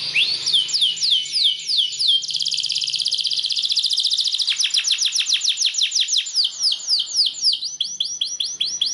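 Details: Belgian canary (Serinus canaria domestica) training song meant to stimulate other canaries to sing: a fast, bright run of high whistled sweeps and trills, shifting between rapid rolling phrases and slower repeated downward slurs.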